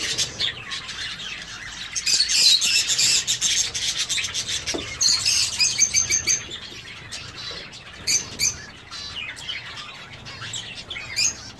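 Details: Zebra finches in an aviary giving rapid, high, thin chirps and nasal calls, many overlapping in dense bursts, with rubbing and rustling noises and wing flutters throughout.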